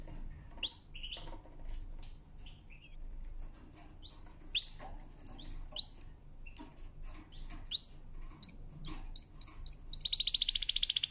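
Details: Canary song for training: irregular upward-flicking chirps spaced through the phrase, quickening near the end into a dense buzzy rapid trill.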